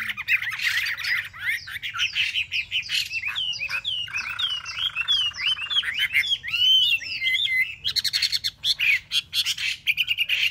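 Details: Chinese hwamei kept in a cage for three months delivers a dense, varied song: rapid chattering notes, buzzy stretches and quick looping whistles tumbling together without pause for over ten seconds.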